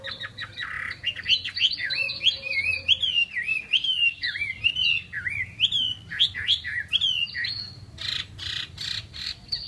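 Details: Chinese hwamei in captivity in Vietnam, pouring out a rich continuous warbled song of looping, rising and falling whistles, ending in buzzy harsh notes.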